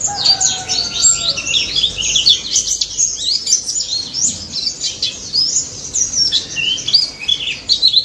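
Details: Prolific white-eye, locally pleci daput, delivering ngalas-style song to make silent white-eyes respond: busy high chatter of quick descending and rising notes, with faint lower whistles early on.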